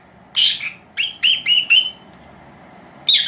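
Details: Two female lovebirds, four months old, kept indoors as pets, calling around their nap; one harsh chirp, then four rapid clipped notes in a quick run, a pause, and a final shrill call.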